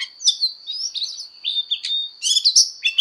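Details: Oriental magpie-robin in fighting song for voice training, giving sliding whistles and clear notes that build into a rich, loud flourish near the end, over a steady high-pitched tone.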